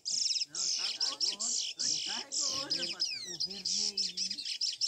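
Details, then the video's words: A chestnut-bellied seed finch (curió) sings a fast, unbroken run of bright whistled and twittering notes, with a man's voice talking quietly underneath. "Curió coyote na pegada"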